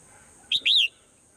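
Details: A single swallow phrase in the morning: a brief sharp note, then a longer rising-and-falling whistled chirp, clear above a faint steady hiss.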